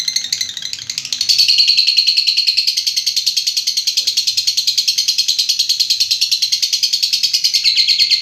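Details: Long, continuous ngekek trill of a lovebird, a piercing rapid-fire chatter of even pulses lasting over eight seconds with no pause, rising slightly in strength after the first second.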